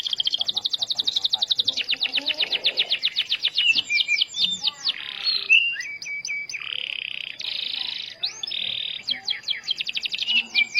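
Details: Starblue canary performing a lively song to stimulate other canaries: dense fast trills, upswept whistled notes and several harsh buzzy phrases alternating over nearly eleven seconds.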